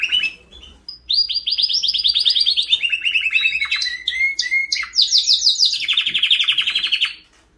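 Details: Song of a white canary: continuous high rolling trills and fast repeated chirping notes, shifting between phrases that rise and fall, with a short whistled note at the start.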